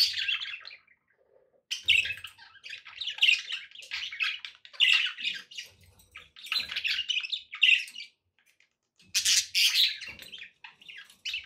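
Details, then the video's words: Pet budgerigars, presented as company to encourage another parrot to eat and sing, chattering in bursts of scratchy, buzzy warbles and chirps, with short pauses between phrases and a few squawks. "budgie sounds to encourage your parrot to eat and sing"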